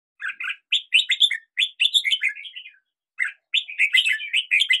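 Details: Red-whiskered bulbul singing in hills, delivering lively warbled phrases of quick, slurred rising and falling notes, a brief pause, then another bright rapid phrase; clean recording without other noises.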